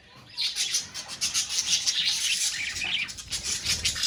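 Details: Budgerigars chattering in a colony, a dense continuous wash of high scratchy chirps and squawks from many birds, fairly loud throughout with small rhythmic swells.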